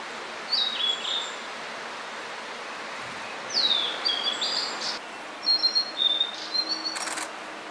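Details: Blue-and-white flycatcher, a summer visitor newly arrived in spring, singing at Hakone, Japan: clear whistled phrases sweeping down from high notes, pausing between, then a run of short high whistles, over a steady outdoor background hiss.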